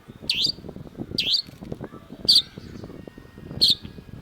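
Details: Long-tailed shrike: four loud, scratchy, high notes, each sweeping down and up, spaced roughly a second apart over a busy low rumble of background noise.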